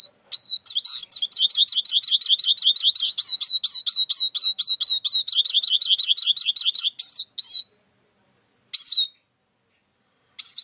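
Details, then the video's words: Eurasian siskin delivering a long fast series of repeated whistled twitters, about five per second for seven seconds, then a pause and two isolated falling notes. "İskete kuşu ötüşü"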